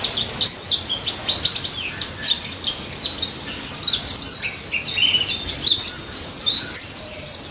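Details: White-eye of the daput type singing ngalas-style as a trigger for quiet white-eyes: bursts of very high chirps and sharp whistled notes in uneven flurries, over a faint steady background hiss.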